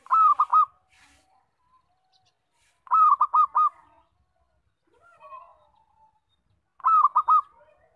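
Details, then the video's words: Local zebra dove used for luring birds sings loudly, repeating a phrase of four quick, bubbling coos about every three to four seconds, with softer murmured notes between phrases. "Suara Perkutut Lokal Kencang, Bagus Buat Pikat dan Pancingan"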